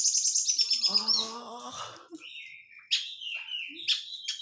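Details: Oriental magpie-robin in a lure recording of dense crecetan chattering meant to provoke kept birds into singing; high, rapid buzzy trills and chirps, then sharp whistled notes and rising sweeps, with a brief low tonal sound mid-clip.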